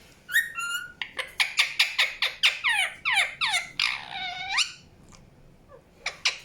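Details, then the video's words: Indian ringneck parakeet giving a rapid string of short, downward-sweeping chirps, then one longer arched screech and a quiet stretch with a few faint notes near the end. "PARROT CHIRPING SOUNDS | NATURAL SOUNDS PARROT CHIRPING"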